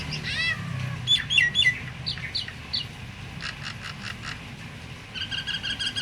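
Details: Myna whose voice is said to get other mynas, including mute ones, calling; sharp, sliding whistled notes in short bursts, pauses, then a fast run of repeated clipped chirps near the end, with low background hum.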